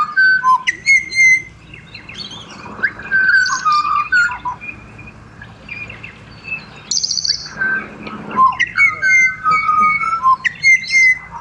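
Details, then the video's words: Pied butcherbird singing in Australia: clear, flute-like whistled notes, some held and some sliding, come in irregular phrases with short pauses, and faint chirps from other birds can be heard in the background. "BUTCHER BIRDS Serenade / Serenata de Pajaros Carniceros"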